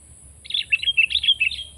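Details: Sooty-headed bulbul song: a bright, bubbly phrase of about eight rapid, rolling whistled notes rising and falling, loud and clear over a soft low hum.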